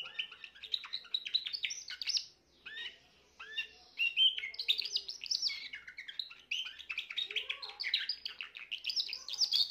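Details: Young Spanish Timbrado canary from this year, recorded 14 June 2023, singing loud fast rolling trills and chattering notes in long phrases broken by short pauses, the high warbling steady and dense for nearly ten seconds.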